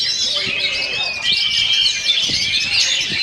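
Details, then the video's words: Oriental magpie-robin, called kacer, singing a fast, tight rolling stone style song while buffeted by strong wind: a dense, continuous stream of high whistles and twittering trills with long, steady whistled notes running through it. "KACER ROLLING STONE TAHAN BANTING"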